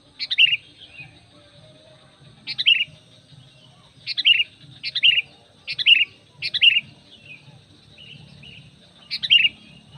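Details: Over ten seconds a sooty-headed bulbul gives six brisk descending chirp phrases at uneven intervals, a few nearly back to back. The call serves to bring other bulbuls in; a soft low hum runs underneath.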